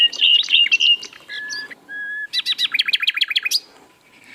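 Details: Asian brown flycatcher (sikatan londo) in lively song: jumbled warbling notes, a pure steady whistle, then a fast stuttering series of sharp repeated notes ending abruptly.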